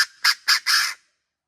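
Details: A Chinese Francolin crows from a tree in July 2024, answering another bird: three loud, harsh, grating notes in under a second, the last longest and slightly drawn out.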